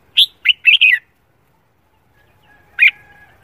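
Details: Red-whiskered bulbul singing in the morning while trained for song contests: a quick four-note whistled phrase, a pause of nearly two seconds, then a single sharp note with a faint thin tone trailing after.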